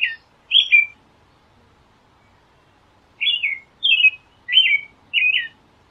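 An American robin sings short, clear whistled phrases that rise and fall: two at first, then after a pause four more in steady succession. The background is quiet.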